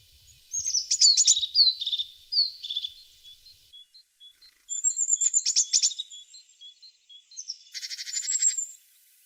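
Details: Tit singing in three bursts of high twitters and chattering trills, linked by a soft series of thin, evenly spaced notes; the final burst is buzzy and rattling, with faint low thumps at the start.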